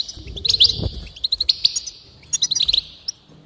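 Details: Song of a goldfinch to spur singing: liquid twittering with quick chip runs over a buzzy tone, two dense clusters split by a pause, faint low rumble below.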